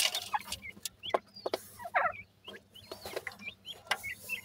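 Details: Grey francolin chicks call with thin, high, upslurred cheeps spaced irregularly, mixed with sharp clicks and brief scuffling sounds.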